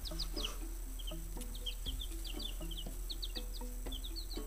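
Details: Baby chicks, five days old, in a brooder with a worm, calling in quick high descending peeps that overlap. Low steady tones and soft knocks sound beneath them.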